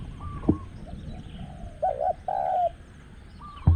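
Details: Spotted Dove coo recorded while luring with a caged decoy at spot 14. A single two-part mellow coo sounds in the middle, between sharp knocking clicks at the start and end and faint whistled notes.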